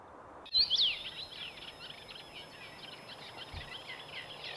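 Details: Common rosefinch (Carpodacus erythrinus) song recorded in Sweden, from an adult and a young bird: a couple of loud, bright whistled notes, then a steady run of high, scratchy twittering over a faint thin ringing tone.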